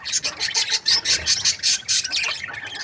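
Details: Breeding budgerigar pairs call in a rapid run of loud, scratchy chirps, about four per second, then trail off into softer chatter.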